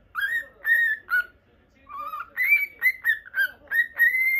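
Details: A caged pet normal lutino cockatiel whistles a series of clear, slightly rising and falling notes. They come in short phrases separated by a brief pause, with a quiet room behind.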